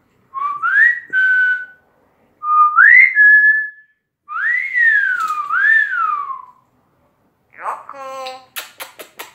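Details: Outside the house, a pet talking common hill myna repeats upward-stepping whistles and a long wavering double-arched slur. The phrase ends in a harsh rasping, clicking burst. Faint speech is nearby.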